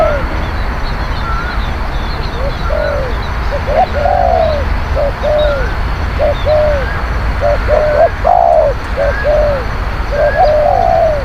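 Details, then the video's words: Lure recording of a spotted dove: repeated low cooing phrases of one or two quick notes and a longer falling coo, about a dozen phrases. Faint higher whistles from another bird sound throughout. "ต่อนกเขาใหญ่ เสียงนกเขาใหญ่"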